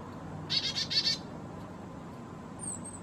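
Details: Black-capped chickadee, possibly a Carolina hybrid, at a feeder choosing sunflower seeds at 4000 feet in the Great Smoky Mountains in warm weather. It gives a quick run of four harsh, buzzy dee notes, then a faint thin high whistle over low hum.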